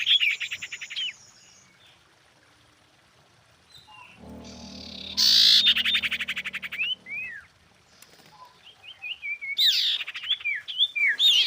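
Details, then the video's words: Female common iora calling a male as a lure: scattered rattling bursts and short sweeping whistled notes, with a low rumbling noise in the middle. "PANCINGAN BURUNG SIRTU BETINA GACOR MEMANGGIL JANTAN"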